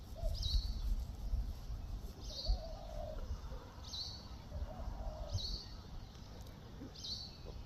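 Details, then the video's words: Common myna recorded in New Zealand giving a high, clipped squeaky note about every two seconds, with softer low mellow notes in between and steady low background rumble. "Common Myna Bird"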